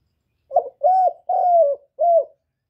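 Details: Captive spotted dove cooing, used to stimulate other kept doves to call: a short soft note followed by three longer, low, hollow coos, each slightly falling, over about two seconds.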